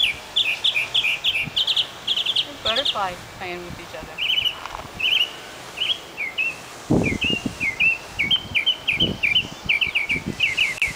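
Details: Northern mockingbird song recorded at Key West Cemetery, a long varied string of high chirps and slurred notes delivered in repeated series, each motif given several times before switching; a low rumble and thumps appear midway.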